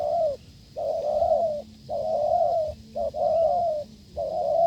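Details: Spotted dove from the wild answering during a decoy test, cooing hard: long, full, slightly quavering coos, each preceded by a short clipped note, loud and near, with gaps of about half a second.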